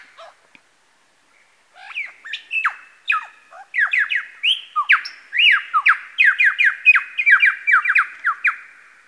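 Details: At Masons Falls, Kinglake National Park, a male lyrebird imitates various birds: after a near-silent start, a long excited stream of squawky, descending whistled notes repeated more than twice a second, building in loudness.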